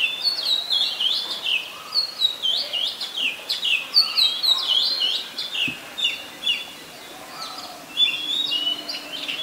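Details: Singing Oriental magpie-robin in Ubon Ratchathani, Thailand, 3 February 2023, recorded on a Nikon P1000: loud varied whistled phrases of sliding, up-and-down notes in quick succession, with a brief pause before the song resumes.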